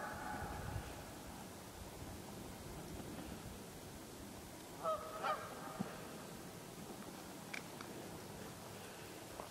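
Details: About five dozen geese in a migratory gathering on a far side of a pond on an October afternoon; a few nasal two-toned honks near five seconds, then scattered faint calls over steady low background rumble.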